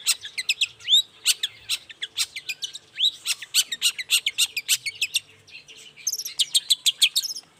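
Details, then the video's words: Long-tailed shrike singing in the morning, used to lure other shrikes to respond: a rapid, busy stream of short chirps and clicks with a few rising whistles, ending in very high thin notes. "Suara cendet gacor Pagi Hari pancingan jitu BIKIN cendet diam langsung nyaut ikutan bunyi"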